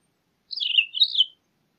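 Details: A Townsend's solitaire delivers one brief warbled phrase, a fast run of slurred, bubbling notes lasting under a second and split into two linked parts, with nothing else audible.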